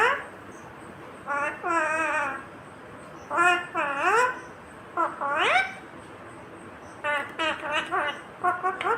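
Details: Talking Indian ringneck parrot producing babbling, speech-like phrases of several syllables, some sweeping upward in pitch, grouped into four bursts with quiet gaps between them.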